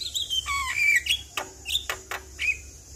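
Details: Short run of Javan myna whistles and sharp clicks, a lure sound for a stressed bird: a few clear falling whistled notes followed by dry snaps.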